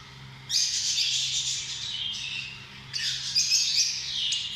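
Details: A small parrot, the lovebird, squawks: a sudden burst of harsh, shrill chatter, a short lull, then a second loud run of raspy high calls, over a faint hum.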